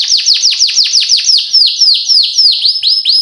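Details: Canary lure song for young canaries in training: a sequence of loud sweeping descending whistles, slowing into drawn-out downward and hooked notes repeated about twice a second.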